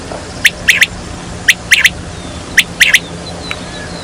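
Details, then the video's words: Quail call used as a lure for quail hunting: short, sharp, high notes given singly or in quick pairs and triplets, with brief pauses between bursts. A faint steady hum sits underneath. "Batair ki awaz"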